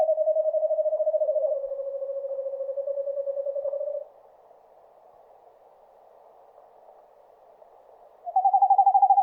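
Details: Eastern screech owl calling in the forest: a long, even, low-pitched trill of rapid pulses held for about four seconds with a slight drop midway, then a pause before a higher trill begins.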